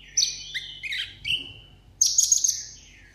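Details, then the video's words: A 'hút mật 7 màu' sunbird kept in a cage as a table bird gives a contest-style song. Rising and falling high whistled phrases come first, then a bright burst of rapid shrill chirps. "hút mật 7 màu hót đấu solo"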